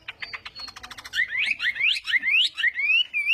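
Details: Chinese hwamei practicing its song in the morning, rapid rattling notes leading into a loud flowing run of rising and falling whistles.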